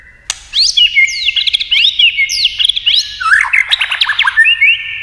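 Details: White-rumped shama in fighting song with many voices: after a sharp click, a dense stream of bright whistled phrases and rapid chattering notes, shifting pitch constantly over five seconds.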